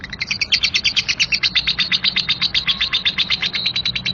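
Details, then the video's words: Lovebird giving a rough 'ngekek kasar' chattering song, described as a Labet lovebird; harsh, high, scratchy notes in a fast, steady run of roughly eight to ten per second, sustained without a break across the whole stretch. "Lovebird anda gak mau DIAM, dengar KIcau Labet NGEKEK KASAR ini"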